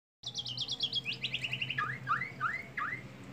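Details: White-rumped shama from Indonesia performing a bowing display while singing: a rapid series of high, sliding whistled notes descending in pitch, then slower upswept whistles about three per second, over a steady low hum.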